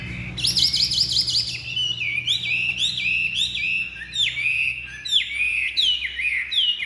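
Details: Kept Chinese hwamei, a large bird with pure white wing feathers, singing strongly: a run of loud looping whistles that drop and curl back up, repeated in quick succession with faint low hum behind.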